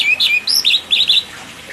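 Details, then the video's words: White-rumped shama song used as a model for training other songbirds: loud, clear whistled phrases, quick rising and falling notes and warbled clusters at high pitch, over a quiet background. "Burung Masteran Murai Batu"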